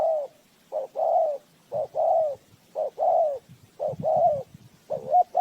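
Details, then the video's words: Close decoy spotted dove used to trap wild birds, cooing steadily: phrases of a clipped note and a longer, slightly falling coo repeat about once a second, with faint low knocking underneath. "เสียงนกเขาใหญ่,Bird Trap,Tiếng chim cu gáy mồi chuẩn gáy gọi cực hay"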